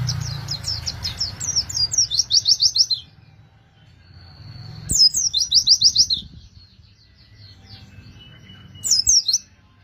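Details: High chattering phrases from an Oriental white-eye, used as a lure for wild birds. Rapid bursts of bright, downward-slurred chirps come in three separate runs with quiet gaps between.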